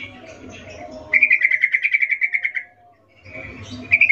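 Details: Birahi 'ngecuplik' call of a female sooty-headed bulbul seeking a male: a steady rattle of rapid bright notes lasting about one and a half seconds, silence, then another burst beginning, over faint low background noise.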